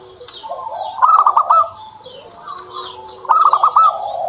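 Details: Zebra dove (perkutut) kept by its owner, singing: two bursts of rapid, staccato cooing notes, each about half a second long and separated by a quieter pause. Faint high chirping from other birds runs in the background.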